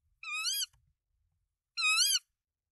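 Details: At a Danish nest with three eggs on 24 March 2024, where the male delivers rodents to the female, a tawny owl gives two strained, nasal calls about one and a half seconds apart, with faint low thumps between them.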